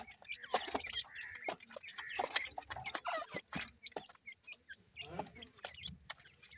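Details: Grey francolin chicks, feeding: short rising peeps in small bursts, louder at first then sparser, accompanied by sharp clicks and tapping throughout.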